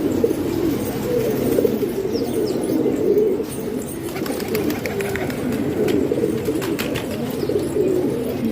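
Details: Many kept pigeons in Pakistan coo in a continuous low, throaty chorus, individual rolling coos rising out of the blend every second or two, with occasional clicks and flaps.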